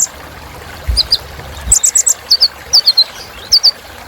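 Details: Filler song of the kolibri ninja sunbird, used to motivate other birds: a burst of fast high chips, then repeated pairs of thin falling tsip notes about every half second.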